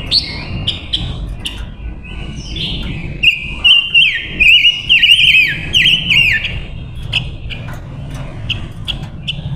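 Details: Captive female decoy silver-eared mesia singing to lure wild males: a run of clear, level whistles with quick warbled twists in the middle, repeated about twice a second, over a low background rumble.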